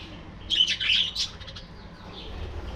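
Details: Budgerigar colony chatter: a brief tumbling burst of high, scratchy warbled notes lasting under a second, then quieter soft twittering trailing off.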